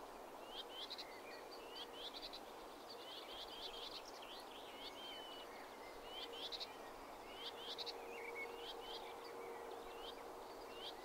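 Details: A Common Whitethroat from the Blaby and Wigston area of Leicester gives short, scratchy, chattering phrases again and again over a steady background hiss, with a faint low drone throughout.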